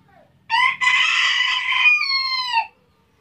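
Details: Rooster recorded by chance in Tabulahan, Mamasa regency, crowing once: a short rough opening note, then a long loud harsh middle section ending in a clearer, slightly falling drawn-out tone.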